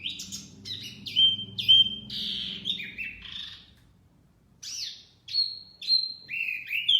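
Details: Wambi mini used as a trapping lure: loud whistled notes and trills over a low background hum, a short pause, then clear level whistles and falling chirps.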